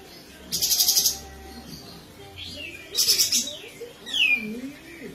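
Olive-winged Bulbul giving two bursts of rapid, scratchy, high chattering notes, then a clear downslurred whistle; nothing else clearly heard.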